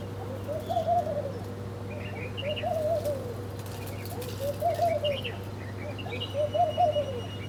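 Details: Several birds eating breakfast: rounded low cooing phrases repeat roughly every two seconds, joined by faint higher chirps, with a steady droning hum underneath.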